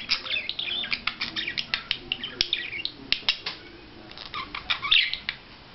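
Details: Courting budgerigar chattering: wavy, warbled whistles mixed with dry clicks, busiest at the start, then looser chirps and a bright squeaky burst near the end.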